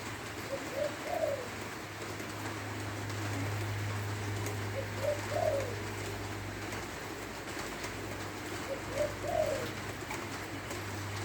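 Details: Spotted dove from Lopburi, Thailand, singing in the rain: three low, mellow cooing phrases about four seconds apart, each a short coo then a longer rolling note. Steady rain hiss and a low hum run underneath.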